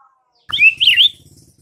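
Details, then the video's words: White-rumped shama singing in the morning to prompt rivals to answer: one short, rich whistled phrase rising and falling, with a low rumbling hum underneath. "MASTERAN Murai Batu di PAGI HARI , bikin Murai batu Lawan langsung BERSAUTAN seketika"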